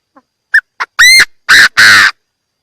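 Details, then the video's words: Chinese francolin call, clean recording intended as a trapping lure. Soft clicks, then two short sharp notes, a loud ringing upslurred note and two long harsh grating blasts, delivered as one rhythmic phrase of about one and a half seconds. "Tiếng chim đa đa gáy chuẩn"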